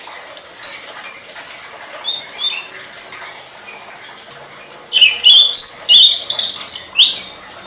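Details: Tledekan song made as a master recording for songbirds: scattered soft chips, then a loud run of fast, shrill, slurred twitters and squeaky notes repeated several times a second over about two seconds.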